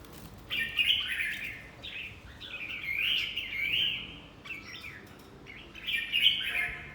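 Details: Red-whiskered bulbul in fight training, singing nearly continuously: bright, rapid, chattering whistled phrases in several bursts, loudest near one, three and six seconds, with short gaps between.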